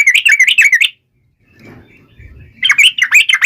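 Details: Yellow-vented bulbul calling to taunt rivals: a burst of fast, buzzy, rattling chatter, a second of silence with faint background rumble, then another rapid chattering burst.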